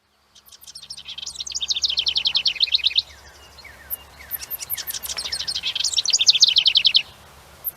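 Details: A House Wren, likely a male since males are more vocal, sings two bubbling, rapid bursts of high, buzzy trills and chattering notes, each about two seconds long, loud and insistent.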